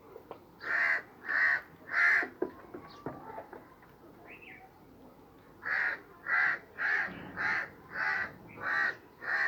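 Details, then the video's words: A crow on a sheep's back caws three times, pauses amid faint rustling and a brief higher chirp, then resumes with a steady run of seven hoarse caws. "Crow Sitting on Sheep Back, Making Noise"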